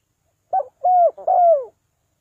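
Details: Spotted dove giving a call in the '3 kuk hoi' style used to lure birds down: one short clipped note, then two longer hollow coos, the last sliding downward, on a silent background.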